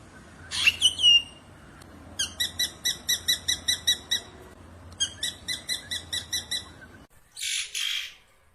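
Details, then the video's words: Black drongo in the wild giving a brief harsh sweeping note, then two long runs of clear ringing notes repeated about four per second, separated by a short pause, ending in a scratchy burst. "KICAUAN terbaik burung SRIGUNTING"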